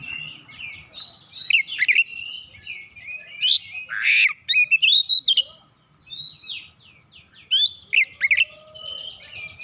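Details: Kacer magpie-robin, loud and lively, delivering varied song material: rapid sequences of short whistles and trills, a harsh burst near the middle, and several more brisk chirping phrases.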